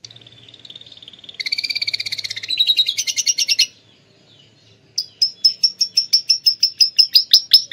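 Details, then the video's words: Atlantic canary from Klaten singing a song filled with lovebird phrases: a steady whistled tone, then a buzzy rapid trill, a short pause, and a series of sharp high notes repeated about four times per second. "kenari isian love bird"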